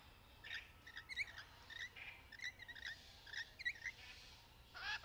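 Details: Rainbow lorikeets playing in trees, calling during courtship and mating behaviour: quiet, irregular bursts of short squeaky chirps and slurred notes, several overlapping, ending in a louder harsh chattering burst.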